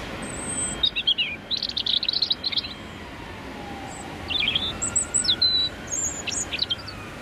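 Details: Male European robin sings his territorial song on a freezing, windy January morning in London rush hour, recorded 30-60 cm away: short, high, varied phrases of thin whistles and quick trills, with pauses, over low traffic hum.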